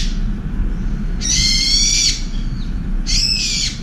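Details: Furious brown-eared bulbul shrieking at a wild pigeon beside a window feeder during a two-minute shouting attack. One long, harsh screech lasting nearly a second, then a shorter one after a pause, over low background hum.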